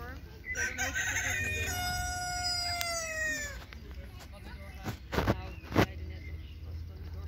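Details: Cochin rooster crowing in a park: one long drawn-out crow, sliding gradually downward and fading, followed by scattered thumps and background noise.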